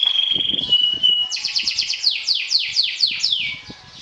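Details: Champion kenari sobek canary singing trills to provoke and defeat rivals: a steady high whistle, then a rapid buzzy rattle followed by a series of sharply descending sweeps about four per second.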